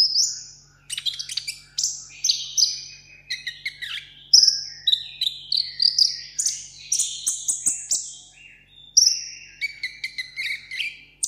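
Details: Solo contest singing from a caged seven-coloured sunbird: a long, busy stream of very high twittering and whistled phrases with few pauses.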